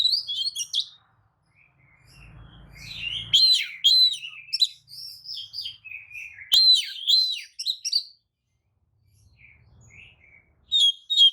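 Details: White-rumped shama (kacer) lure song with tail spread, meant to provoke other shamas into answering; rich varied phrases of whistles and sharp chattering notes at high pitch, with short pauses between bursts.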